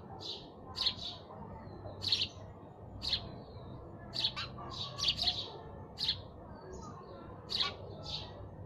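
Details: Lively sparrow chirping: a dozen quick, high chirps in a busy, uneven run, some in tight pairs, with occasional softer notes and a low murmur beneath.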